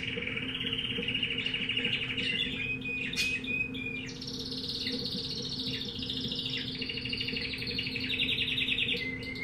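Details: Pet-shop canary of undetermined breed in full song: long rolling trills of fast repeated notes, shifting pitch between phrases, with brief sharp chips between rolls and a steady low hum underneath.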